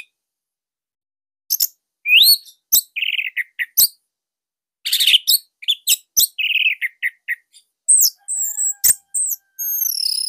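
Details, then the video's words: Orange-headed thrush song meant for tutoring young or silent thrushes: after a short silence, varied bursts of high chirps, slurred whistles and fast rattling trills, with gaps between phrases. "GACOR Dorr Kicauan Joss ANIS MERAH Pancingan Masternya Para JUARA."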